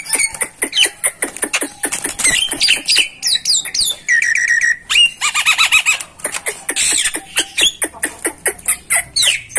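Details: Masteran recording of a starling singing a long, varied medley: fast clicks and chatters, sweet slurred whistles, a sustained steady whistle, and buzzy rasping bursts, packed tightly together.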